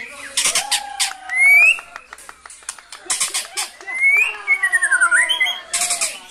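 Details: Energetic white-rumped shama song with brantakan-style fill: long level whistles, upward-sweeping notes, quick twittering trills and harsh broadband bursts mixed through a varied, nonstop phrase sequence.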